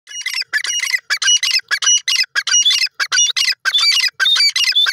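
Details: Female grey francolin calling: loud, rapid, harsh squawking notes in dense clusters, about two bursts a second, each note bright and high-pitched with whistled overtones, continuous throughout with short gaps.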